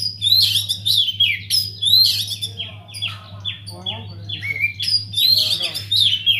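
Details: Captive Oriental magpie-robin in full song in an aviary, kept as a lure for other birds: dense, lively phrases of sweet whistles, rapid trills and descending slurs, with a constant low electrical hum behind.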